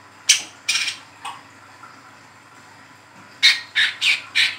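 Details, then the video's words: Young Brown-throated sunbird in spotted plumage, chattering 'ngeriwik' calls for luring and tutoring sunbirds. Two or three high sharp notes, a quiet gap, then four evenly repeated shrill chips. "SUARA WICEH TROTOL NGERIWIK GACOR, PANCINGAN KOLIBRI KELAPA TROTOL"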